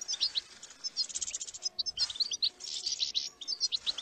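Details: Goldfinch singing non-stop, with quick high twitters and downward-slurred liquid notes in rapid bursts separated by tiny gaps.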